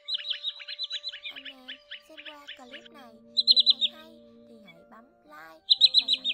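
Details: Common greenshank lure recording of the flock-gathering call, used to attract birds: quick bursts of four to six sharp, high, slightly descending whistled notes, separated by pauses, over steady low humming tones and sliding low whistles.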